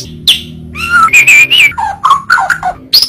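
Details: White-rumped shama song in a short varied phrase: slurred whistles, a wavering note, then quick lower and higher notes, over a faint low hum.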